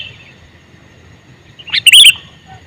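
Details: A single loud, bubbly chirped phrase from a male sooty-headed bulbul calling. It starts with a short rising note and ends in a quick jumble of bright chirps, after two quiet seconds.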